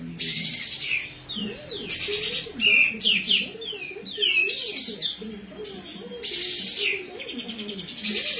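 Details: Kapas tembak bird singing besetan, a frequent singer used to tutor other cage birds: repeated loud rattling bursts alternating with sharp falling whistled slurs, steady background of low wavering warbles from another bird.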